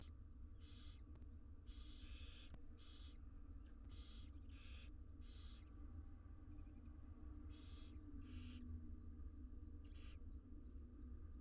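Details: Wild barn owl nestlings, six in a nest box in Israel, being fed: harsh hissing screeches, broad and noisy, come in repeated bursts of about half a second over a steady low hum.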